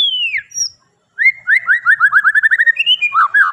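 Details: White-rumped shama, Medan type, singing actively: a long falling whistle, a brief pause, then a fast run of about fifteen clipped, downslurred whistled notes, closing with higher and lower slurred phrases; no other sounds.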